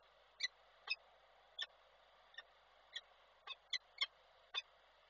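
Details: Peregrine falcon on its Koszalin nest, Poland, 17 February 2023, briefly 'ciokanie' chattering: nine short, sharp notes, quieter than before, irregularly spaced with a quick cluster near the end, over hiss.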